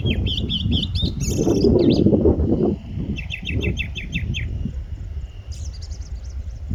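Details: A pair of Indian blackbirds in strong winds at Bopdeo Ghat, Pune, Maharashtra, India, in August 2022, recorded on a phone; quick series of short high chirps, about six in a row, over heavy roaring wind.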